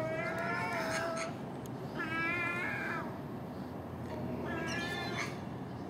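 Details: Common gulls at early-morning garbage with magpie and crow around: three drawn-out, slightly quavering mewing calls, steady in pitch, over a constant background hiss.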